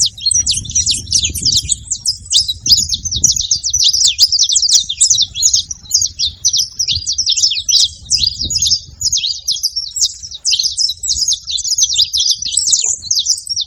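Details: Free-living saffron finches gathered at a feeding spot, a flock chattering together: dense, nonstop overlapping high chirps and short twittering notes, with a soft low rumble underneath.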